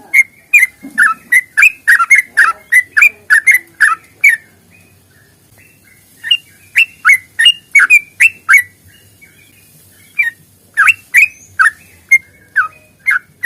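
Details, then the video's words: Sooty-headed bulbul giving a long rapid-fire fighting song meant to spur other bulbuls to sing: bursts of quick, chirpy whistled notes, a pause of about two seconds, then further fast runs of notes. "trucukan GACOR tarung ropel panjang ini AMPUH bikin trucuk gacor bunyi NYAUT"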